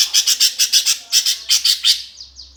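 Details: Fighting-style 'gereja tarung' song of a greater green leafbird, played to stir competition birds: loud, rapid series of rasping high chirps in quick bursts, closing with two soft downslurred whistles over a faint low hum.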